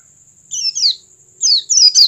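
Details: Oriental white-eye song for prompting other white-eyes to sing: two pairs of bright high downslurred chirps separated by a short pause, over a thin steady high tone.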